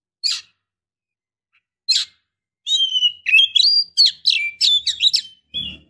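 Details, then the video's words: Female Oriental magpie-robin in breeding condition calling to draw a male: two isolated sharp notes, then a fast, varied run of whistles and harsh notes, ending with a brief low thump. "Suara KACER BETINA GACOR Birahi Mantap Untuk Memancing KACER JANTAN Agar Mau Nyaut"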